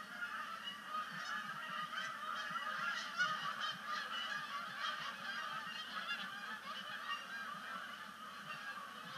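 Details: A big flock of Canada geese landing on Sapsucker Woods Pond at sunset, first splashdown of the fall migration in October 2019; rapid, crowded honks, roughly two or more a second, forming a constant clamour.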